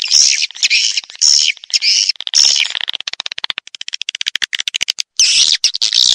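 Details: Lure sound of edible-nest swiftlets for drawing birds into a swiftlet house. Harsh, buzzy high chirps come in bursts, then a rapid train of short ticking clicks, then more buzzy chirping.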